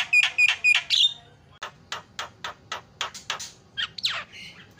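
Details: Lure starling song meant to set silent starlings chattering: three bright whistled notes, then a string of dry clicks at steady pace, ending in a harsh downward slur.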